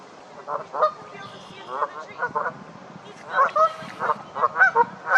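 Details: Canada geese in a fight, honking loudly: scattered harsh honks early, then a louder cluster of overlapping calls near the end.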